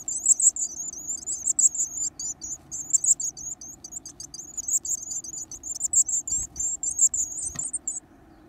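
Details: Growing varied tit chicks eating large insects give very high, thin, rapid chattering calls almost without pause, with a faint low hum underneath.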